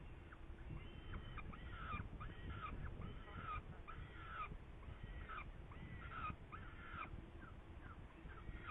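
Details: Saker falcon in Hungary, 8 May 2019, linked to prey: hoarse, slightly bending calls given about once a second, some overlapping, over steady low-pitched background noise.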